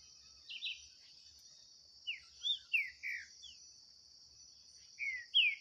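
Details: Green-winged saltator singing in a contest with a free bird in the woods, 2023: brief descending whistles spaced out, then a cluster of four slurred notes and a final pair, with constant shrill insect buzzing behind.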